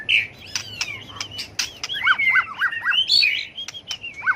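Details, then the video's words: White-rumped shama singing its fighting song for contest training: sharp clicks and varied whistles, then a quick run of five or six repeated down-up chipping notes and bright high whistles. "chòe lửa tạch đuôi hót đấu kích chim cực đỉnh, luyện chim hót đấu hay"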